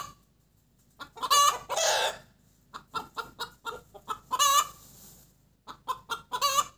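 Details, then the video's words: Hen cackling after laying an egg: bursts of short harsh clucks building to a loud drawn-out squawk, repeated in groups separated by brief pauses, with one noisy rushing sound in between. "Gà mái đẻ kêu cục tác"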